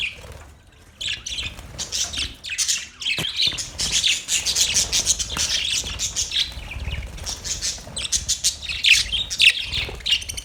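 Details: Budgerigar chirping starts quiet, then becomes a steady, dense stream of high twittering and scratchy warbles, with a few clear whistled notes near the end.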